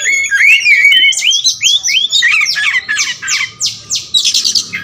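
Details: Kacer wulung, the all-black Oriental magpie-robin form, singing a varied repertoire: whistled rising slurs give way to rapid descending buzzy sweeps and sharp high notes, about three per second.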